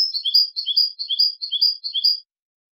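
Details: European goldfinch in basic song, with a steady run of bright, high twittered notes that alternate in a rolling, repeated pattern for just over two seconds, then stop.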